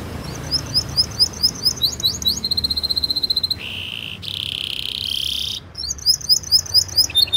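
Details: Canary tutor song for young and silent canaries: rapid hooked whistles, a quick evenly pulsed trill, then long buzzy sustained notes at two pitches, before hooked whistle phrases resume.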